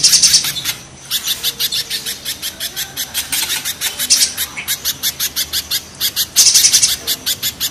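A spiderhunter gives a fast run of sharp, high chips, about four each second, with a brief pause near the start.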